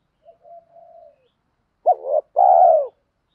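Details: Spotted dove, from male and female birds calling to excite newly trapped doves. A faint drawn-out low note comes first, then after a pause a loud phrase: a clipped hooked note, then a long, even, soft coo.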